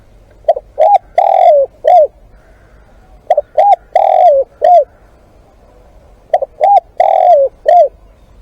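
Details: Live-decoy spotted dove cooing three full phrases about three seconds apart. Each phrase has a short pickup note, a rounded coo, a long slurred coo and a clipped falling ending.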